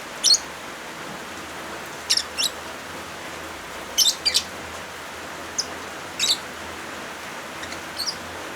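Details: Lovebirds mixed with rainfall, a tutor and therapy track for birds that stopped singing: shrill, clipped chirps in irregular bursts every one to two seconds, occasionally paired, beneath a steady wash of rain.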